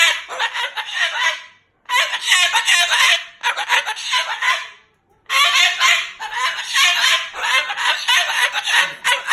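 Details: Moluccan cockatoo pet loudly cursing and talking in anger, three long rasping bouts of rapid shouted syllables, each separated by a short silence.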